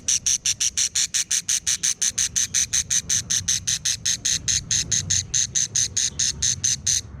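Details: Quarrelsome budgerigar chicks giving a steady run of harsh, raspy pulses, about five per second, high-pitched and buzzy, continuing for the whole stretch over a faint low background hum.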